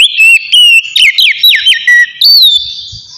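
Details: Relaxed open song of an Oriental magpie-robin (kacer), used to spark fighting spirit and breeding urge in other kacer: bright whistled phrases with quick swoops, short pauses between, ending in a long falling whistle.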